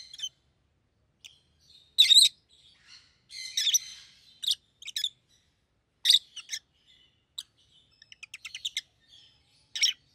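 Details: Two rosy-faced lovebirds, yellow and green with red heads, uttering loud shrill squawks and chirps at irregular intervals, plus a quick run of rapid ticking notes near the end.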